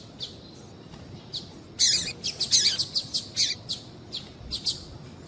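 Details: High-pitched chirping of a female double-collared seedeater, a call for stimulating males to sing: a few faint chips, then a lively, uneven series of bright, sharp notes that fades into spaced single chirps.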